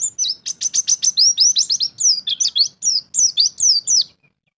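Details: Champion pleci (white-eye) in ngalas bongkar isian style opens with a dense, fast run of high notes, then a series of swooping down-slurred whistles before falling quiet.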